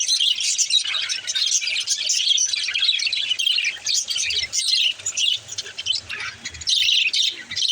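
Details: Baby budgerigar singing in bursts of shrill chirping and scratchy chatter, the stream breaking into shorter phrases with gaps toward the end.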